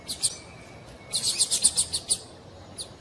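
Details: Female double-collared seedeater calling to stir a male into song: a run of short, high, sharp chip notes in quick succession, a few scattered notes before and after, over faint background hiss.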